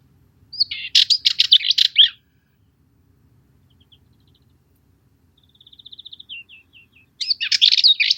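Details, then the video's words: A Cyprus Warbler sings a burst of scratchy, jumbled chattering notes. After a silent gap comes a thin rattle of quick ticks that swells and fades, then a second loud chattering phrase. Background is quiet. "Cyprus Warbler - Songs"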